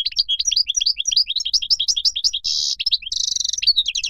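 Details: Moroccan goldfinch song: fast, bright twittering of short rising and falling notes, broken by two dense buzzy trills and ending in quick chirps.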